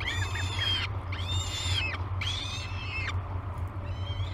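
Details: Breakfast for peregrine falcon chicks at Great Spirit Bluff, 22 May 2020, seen on a nest camera: three loud, hoarse, harmonic screams in close succession, then a fainter fourth, over a deep continuous hum.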